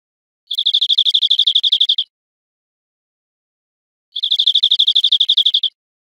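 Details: European greenfinch song from an educational recording of wild bird song for teaching cage birds: two fast, even trills of high chirping notes, each about one and a half seconds, separated by a two-second silence.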